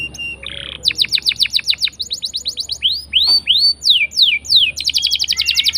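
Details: Gacor canary song played as a lure for canaries that will not sing. A short note, then quick trills, then loud falling whistled swoops, closing with another rapid trill.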